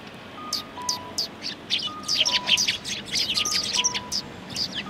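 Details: Several Eurasian tree sparrows in Japan on 28 December 2019 keep up busy, overlapping chirping: sharp, high, clipped notes several per second. Faint steady beeping tones recur in the background.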